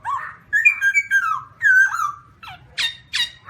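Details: Black-throated laughingthrush giving a varied run of loud whistled notes, gliding and slurred phrases near 1–2k, then harsher rising squawky notes toward the end; no other sounds stand out.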